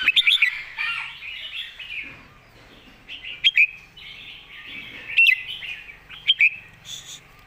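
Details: Clearly delivered master song of a red-whiskered bulbul in the 'golden phrasing' style: sharp, bouncing whistled phrases at the start and repeated in short bursts every second or two, over a warbling background of other birds.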